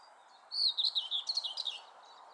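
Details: A common whitethroat at Oud Herlaar on 6 July 2015 gives one brief, scratchy, hurried warble of about a second, high and jerky, over a low steady background hum.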